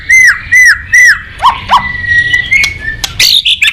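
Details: White-rumped shama song opening with three loud, clear down-slurred whistles, then two lower notes, a long thin held whistle, and sharp high chips and bright phrases at the end.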